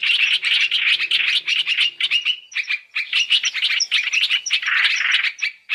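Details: {'caption': 'Black-throated laughingthrush calls mixed as a three-in-one lure for trapping. Rapid high chatter opens the clip, then sparser clipped notes follow, with a few sharp upward whistles in the second half.'}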